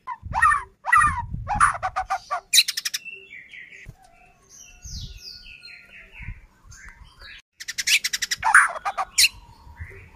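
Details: White-rumped shama in full song, meant to provoke another shama into singing and agitation: bursts of harsh, stacked chattering notes alternate with thin high whistles and quieter scratchy phrases, with brief pauses between sections.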